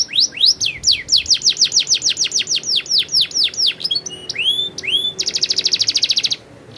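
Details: Canary singing hard, starting with a fast run of downslurred whistles, then looping upward notes and a dense rapid roll before falling quiet.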